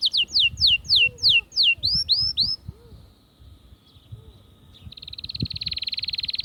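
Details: Atlantic canary singing to stimulate females for mating: a run of rapid downward-sweeping whistled notes, then a brief pause and a fast, even buzzy trill repeated at a steady pulse.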